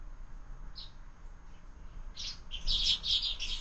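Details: Sparrows at a window-mounted feeder at breakfast time, where birds are fed year-round. After a lone early chirp, a burst of high, rapid, overlapping chirps builds in the second half over a steady low background hum.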